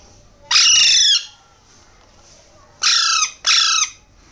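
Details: Alexandrine parakeet nestling calling for food during hand-feeding: one drawn-out, strident, nasal shriek, then after a pause a close pair of shorter, grating squawks.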